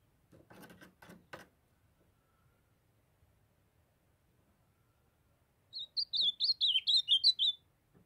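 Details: Young ultramarine grosbeak from Brazil's Nordeste, still in brown plumage, sings a quick phrase of about eight bright warbled notes, wavering up and down. Clicking bursts and knocks come first, then a few seconds of near silence.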